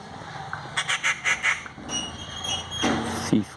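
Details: Treepie (shukulain), an insect-eating bird in a village, gives a quick run of five harsh, grating notes, then a thinner whistled tone; a low human voice briefly follows near the end.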